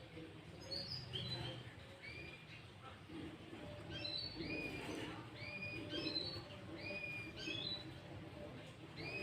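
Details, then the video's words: Sooty-headed bulbul song used as a lure to draw other bulbuls, said to include green leafbird notes: many short, clear whistled notes and upslurred phrases overlap, faint over a steady background hiss. "Pancingan Burung Kutilang Gacor Full isian Cucok ijo"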